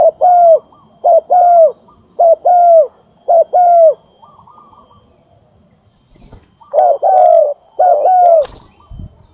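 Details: Spotted dove cooing as a lure for trapping: a steady series of short and long low coos, about one per second, a quieter gap, then three more coos and a sharp click near the end.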